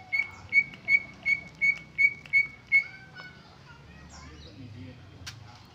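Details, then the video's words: Greater green leafbird giving an original song with no mimicry: seven loud, piercing whistled notes about three per second, then softer slurred whistles and scattered chirps trailing off. "Suara Cucak ijo Original tanpa isian"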